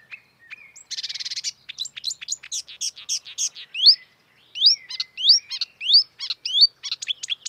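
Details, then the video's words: Marsh warbler in the wild delivering a lively song that opens with a dry rapid rattle, then quick chirps and rising whistled slurs repeated in a brisk, uneven rhythm. "kicauan merdu burung marsh warbler / kerak basi di alam bebas"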